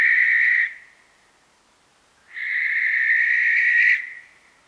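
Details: Western barn owl (Tyto alba) giving its noisy screech call: two drawn-out, hoarse screeches, a short one then a longer one, each steady in pitch, separated by a second of silence.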